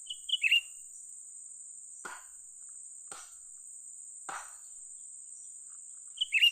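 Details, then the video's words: Young cucak ranting bulbul recorded during trapping. It calls in quick high chirping bursts at the start and again at the end. Three dry knocking clicks fall in between, over a continuous shrill background whine. "memikat burung cucak ranting muda mantap"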